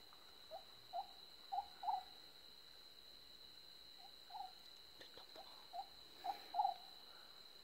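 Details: Oriental scops owl (Otus sunia), possibly in Cambodia, giving short, low, croaking notes in loose groups of two or three about every second, over a steady high insect drone; Oriental scops owl.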